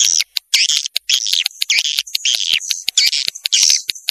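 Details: 'Janda' swiftlet lure from Vietnam: bursts of high chattering twitter broken by short silences, each burst a quick run of sharp chirps and thin trills.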